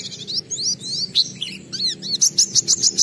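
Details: Oriental white-eye in ngalas song as a lure for others: varied high warbled slurs tumbling quickly, finishing with a rapid evenly spaced series of piercing notes.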